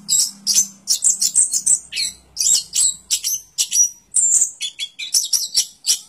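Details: Orange-headed thrush song: dense runs of sharp, high chirps and twittering phrases with a brief pure whistle, delivered in quick bursts over a faint low hum at the start.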